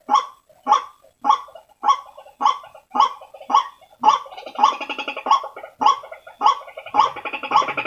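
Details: White-breasted waterhen lure sound: rhythmic harsh croaks, close to two per second, joined midway by a denser, grating chatter that overlaps the series until the end.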